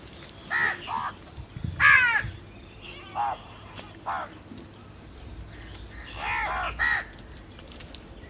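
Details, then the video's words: Crows calling loudly, several harsh, hoarse caws scattered irregularly, some in quick pairs, with pauses between bursts. "Very loud voice of Crow sound - All And Huge types of crow sound | Crow Sound Loudly"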